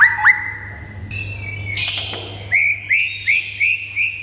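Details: White-rumped shama song used to provoke other shamas into singing. Rising whistles lead to a brief harsh burst, then five evenly spaced upslurred whistles about every half second, with a low hum throughout.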